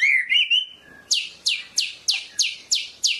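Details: White-rumped shama of the Medan type singing: a few high whistled, slightly rising notes, then a fast series of seven sharp, downward-sweeping notes repeated about every third of a second.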